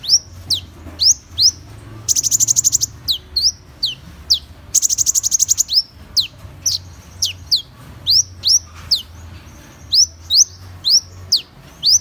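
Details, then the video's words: Piercing high downslurred chips from a Van Hasselt's sunbird, repeated steadily, with two long, dense rattling trills near the start. "Tiếng chim HÚT MẬT 7 MÀU chuẩn ✅Van Hasselt's Sunbird(Leptocoma Brasiliana)"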